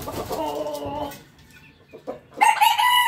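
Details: Roosters crowing in the morning: a rough, extended crow with layered harmonics, a brief lull with scattered clucks, then a loud, sustained crow starting.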